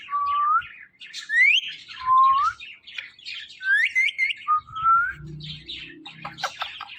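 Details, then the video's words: Male pet Indian ringneck parakeet, noted for talking, chattering indoors in a run of whistled, upward-sweeping chirps and short squeaky notes that follow each other quickly, ending with rougher, buzzier sounds and faint low background noise. "This Ringneck Parrot Is Really Appreciable Because Of His Best Talking"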